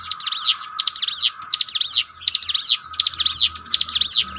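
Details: Bar-winged prinia song meant to lift a down bird's spirit in training: clusters of quick, high, looping chirps, roughly five bursts in four seconds, over a constant thin humming tone.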